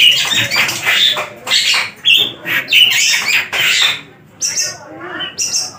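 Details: Caged Javan long-tailed shrike in active song giving harsh, scratchy squawks and grating phrases mixed with a few short whistles, then quieter, spaced bursts.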